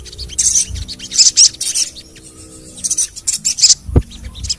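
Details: Sogon calling, played to prompt other sogon birds to sing: clusters of sharp, high, fast chirps separated by brief gaps, with one low thump near the end.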